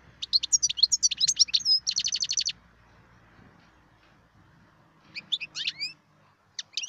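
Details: Wild European goldfinch in song: a fast tumbling twitter of high chirps leading into a rapid buzzy trill, a quiet gap with faint low background noise, then more sharp twittering notes.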